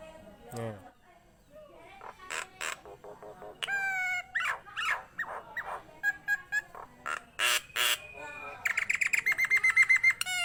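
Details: Nias hill myna singing busily: a dropping slurred note, then ringing whistles, loud squawks and broad bursts, ending in a rapid, evenly repeated chattering phrase.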